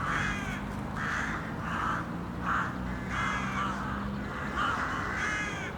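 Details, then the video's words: City crows calling, harsh caws in a rapid series, some short and clipped, others longer, above steady low humming noise. "A Murder of City Crows"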